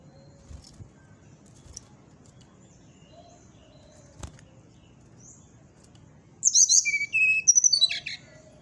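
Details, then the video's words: Brown-chested jungle flycatcher in the morning: a few faint, soft whistles, then a loud outburst of sharp, high, slurred notes and a short, thin trill near the end. "suara srdc di pagi hari"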